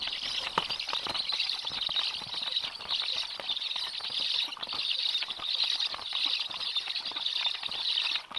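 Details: Black stork chicks beg at the nest with a steady, high, wheezy hissing that swells and fades, mixed with rustling and scratching, as the adult male feeds them at 19:54 on 30 July, the day's eighth feeding.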